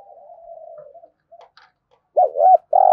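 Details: Spotted dove in intense cooing for decoy training: end of a drawn low coo fading out, a few faint clicks, then two rounded quick notes and the start of a long coo cut off.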